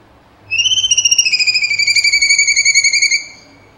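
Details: Cucak cungkok singing a rapid trill of about 30 notes in under three seconds, a high whistled line held steady with clear overtones, slowly falling at the end; faint low hum behind.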